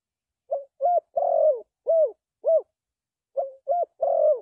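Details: Spotted dove calling, with low soft coos around 500 to 700 in a broken phrase of short notes and a longer drawn coo, then the same phrase repeated after a pause; quiet background.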